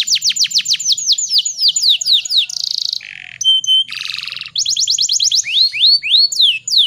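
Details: Female canary in breeding condition, sung as a lure to stimulate males and set other canaries singing: rapid series of high descending whistled sweeps, a brief buzzy note and a rattling trill, then rising slurred notes and more quick sweeps.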